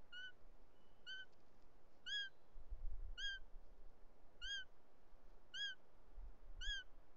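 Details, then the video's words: Bonelli's eagle at a nest in the Ports, Catalonia, on an afternoon in July 2023, while a male brings a snake for the chick and an intruding female arrives; clear downward-arched calls with bright overtones repeat roughly once a second. "Àguila marcenca dels Ports"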